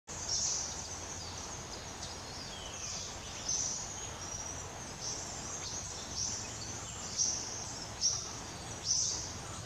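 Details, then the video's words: A brown-breasted flycatcher in India quietly sings subsong: soft, thin, high twittering notes and short chirps, irregular, with one gliding whistle, over a steady background hiss. "Brown breasted Flycatcher sub song"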